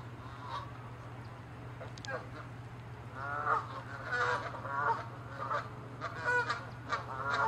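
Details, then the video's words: Canada geese attacking and chasing one another, territorial; quiet start, then loud repeated nasal honks from about three seconds on, growing in intensity, many birds calling together over a low steady hum. "Geese fighting & honking loud sounds"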